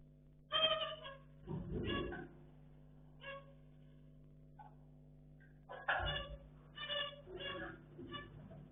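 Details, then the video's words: Playing pet zebra finches give scattered nasal, trumpet-like calls, a cluster near the start, a pause with a few soft notes, then a rapid series of honks, with a faint steady hum throughout. "Zebra Finches | Beautiful | Sounds"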